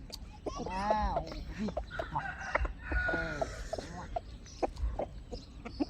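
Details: A flock of chickens kept by their owner, with arching, bowed harmonic calls repeated and overlapping, interspersed with short clucks and clicking sounds over a low rumbling background.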